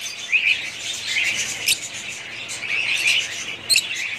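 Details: Pet budgies chatter in high, overlapping warbles, with sharp chirps standing out at about 1.7 and 3.7 seconds.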